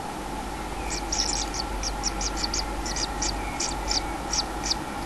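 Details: At a common kingfisher nest with a chick, 6 July 2016, high clipped notes come in quick pairs and runs, steady through the recording, over a persistent low hum.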